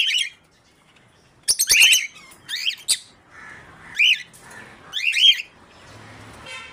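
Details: Einstein, a 30-year-old African grey parrot at the Knoxville Zoo, showing off impressions: a string of harsh squawks, chattering bursts and short rising whistles, spaced about a second apart, with quiet background between them.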